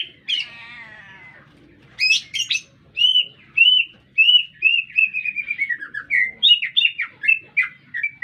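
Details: Active green leafbird song within a city: a wavering harsh note opens, followed by high buzzy bursts and a long sequence of clear slurred whistles gradually descending and quickening.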